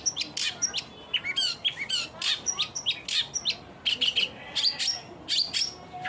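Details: Long-tailed shrike singing: a busy, continuous stream of high chirps, scratchy notes and quick trills, loud and varied, over a steady background hiss.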